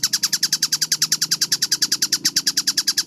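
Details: Tengkek buto kingfisher singing vigorously in a fast, clear masteran: a quick burst of loud, rasping kek notes, closely and evenly spaced at about nine per second, with a faint low humming background.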